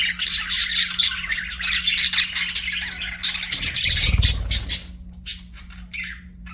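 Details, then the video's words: Budgerigars kept as pets sing and chirp in busy overlapping chatter of high, rapid warbles and squeaks, then a brief low thump near the middle before the chirping thins out to a few scattered calls over a faint hum. "BUDGIES SINGING AND CHIRPING"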